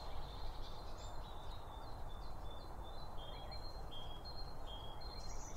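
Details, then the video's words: At a garden bird feeder, Eurasian blue tits give thin, high, short calls in a steady scatter of brief notes, with other small birds faintly mixed in over a heavy low rumble of wind. "Bird Feeder Sounds - Blue Tits and other birds"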